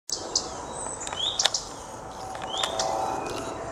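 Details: Common redstart (Phoenicurus phoenicurus) calling: two clear upslurred whistles about a second apart, with faint high ticks and other bird chirps in the background.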